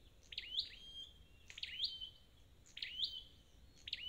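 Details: Red-headed flowerpecker taken from the forest, sung for recovery training: high, piercing notes that sweep up and then drop, repeated about every 1.2 seconds, with only faint low background hiss.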